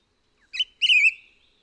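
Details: At Hehuanshan, Taiwan, a Formosan laughing thrush gives a brief clear note followed by a longer, loud, rounded whistle that wavers and trails off slowly; the surroundings are quiet.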